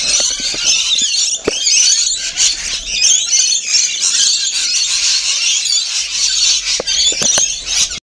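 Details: Rainbow lorikeets feeding in a crowd, harsh high squeals and chattering overlap without pause, a few sharp clicks scattered through, ending abruptly.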